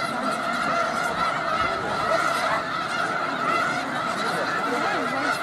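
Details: Close view of a vast snow goose flock in Skagit County, Washington, filling the air with a thick chorus of overlapping high honks, steady and evenly loud from start to end.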